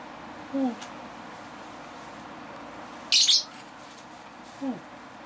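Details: A Northern white-faced owl chick about one month old gives two brief, low, falling notes about four seconds apart. A sharp, high hissing burst comes in between.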